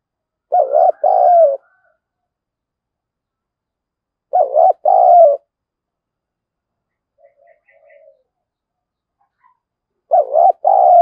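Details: Lure spotted dove calling to provoke wild birds to fight, 'giọng thổ' style; three evenly spaced deep two-part coos about every four to five seconds, with faint soft notes in the gaps.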